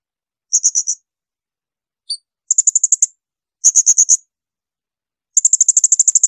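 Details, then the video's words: Shrill Blue-crowned hanging parrot bursts used to tutor songbirds: short groups of high, piercing notes, a brief single chip, and a fast closing run of about twelve notes. "Masteran tembakan melengking serindit."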